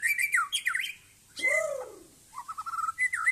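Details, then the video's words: White-rumped shama (Aceh type) singing in a yard: loud, rich whistled phrases that slur up and down, a pause, then a long swooping downward whistle, followed by quick repeated clear notes and a final rising whistle. "Murai Aceh"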